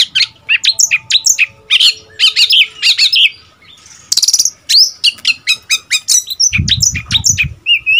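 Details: Young seven-month-old Oriental magpie-robin decoy bird, newly moulted into adult plumage, singing back and forth with wild birds. Rapid varied whistles, chirps and sweet fluttering notes pour out almost without pause, with a brief low thumping near the end.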